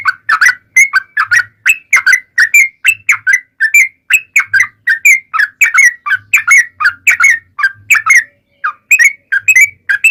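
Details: Lure song of the yellow-vented bulbul to get other bulbuls calling back: long unbroken chatter of quick bubbly whistles, notes tumbling up and down, with one short pause near the end before resuming.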